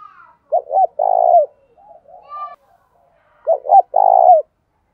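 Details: Decoy spotted dove cooing to provoke wild doves into calling quickly: two low, hollow coo phrases about three seconds apart, each two short rising notes followed by a longer, steady, slightly vibrating coo, in otherwise quiet surroundings.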